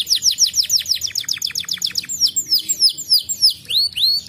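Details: Singing canary, song meant to stimulate other canaries: rapid rhythmic run of steeply descending whistled notes, about three per second and faster, shifting to slower, longer downslurs and ending with a rising-then-falling whistle.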